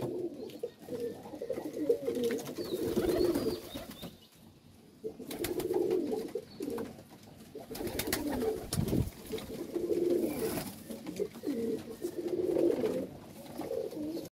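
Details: Pet pigeons, white birds in a loft, cooing in low rolling bursts repeated through the recording, with pauses between runs and some clicks and handling noise in a small room.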